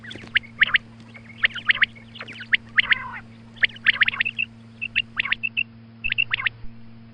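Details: Female quail calling at morning time, used as a lure for quail hunting: quick clusters of sharp chirping notes in irregular bursts, some paired and trilled, over a steady low electrical hum.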